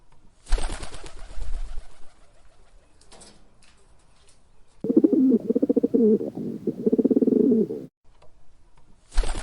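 A pigeon gives low, throaty rolling coos in a pulsing run lasting about three seconds, with bursts of wing flapping and rustling before and after.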